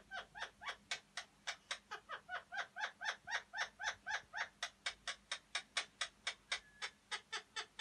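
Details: Breeding-stimulation call of the Alexandrine parakeet, meant to bring males into condition: a continuous run of loud, raspy chattering squawks, about two per second, steady and unbroken throughout.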